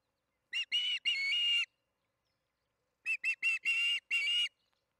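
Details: Osprey calling at the Charlo nest during the second evening feeding, 8:15 pm MDT, June 21, 2019: two bursts of harsh whistled chirps, each a few short notes leading into longer drawn-out whistles, separated by a pause of about a second and a half.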